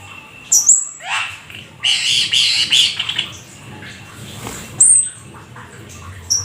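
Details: Black-winged starling, described as rare and exotic, singing steadily in a mimicry-filled 'gacor full isian' style: high thin whistles, a rising sweep, then a burst of dense harsh chattering notes and sharp upslurred whistles.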